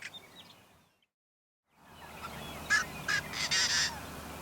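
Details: Male Yellow-headed Blackbird counter singing, with males directing songs at each other; a short gap of silence, then three loud, harsh, screeching bursts like a rusty gate, the last one drawn out, over faint background hiss.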